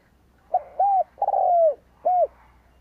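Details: Decoy spotted dove calling to lure wild doves. Clean single phrase of soft, low coos: a brief note, an even held coo, a longer burring coo dropping at its end, and one short closing coo.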